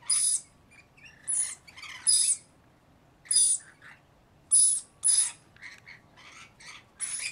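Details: Rainbow lorikeets, Australian parrots, calling while bathing and feeding: loud, harsh, high screeches in short bursts about once a second, separated by quiet pauses with softer chattering notes.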